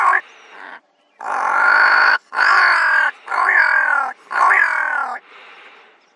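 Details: Pair of ravens calling in Kgalagadi Transfrontier Park: long, rasping, croaking caws, four strong ones in a row, framed by softer, quieter grating notes at the start and end.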